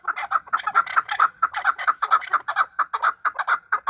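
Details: Chukar partridges in a fight call a rhythmic series of ringing chuck notes, just over two per second, steady and mid-pitched, repeated throughout.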